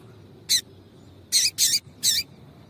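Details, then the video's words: Female double-collared seedeater (coleiro tui tui) call, used to stir a male into singing: four short, sharp, dry chips, a single one followed by a quick close pair and a last chip, over a faint background hiss. "Piado de fêmea coleiro tui tui"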